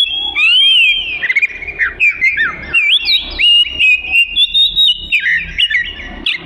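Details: Oriental magpie-robin, a prolific singer recorded to train other songbirds: a flowing series of pure whistles and quick slurs, rising and falling, repeated in short phrases with small pauses.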